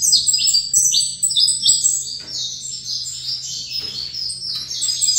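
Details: Saffron finch in captivity, set opposite a rival bird, delivers a continuous high twittering song of clipped, downward-slurred chirps packed closely together, over a soft constant low hum.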